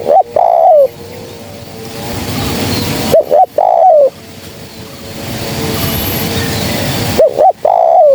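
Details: Female spotted dove coos used to lure birds for trapping. Three phrases at roughly three-second intervals, each with clipped rising notes and a sliding, descending final coo. A constant hissing background fills the gaps.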